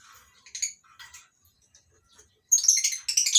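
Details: Colony-caged lovebirds at a breeding farm aviary in the morning: a few scattered high chirps, then a dense, loud burst of shrill screeching chatter at the end.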